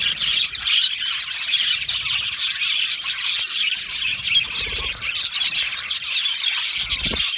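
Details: Australian budgie aviary colony singing, a thick stream of high chirps and scratchy warbles from many birds, with faint low knocks underneath.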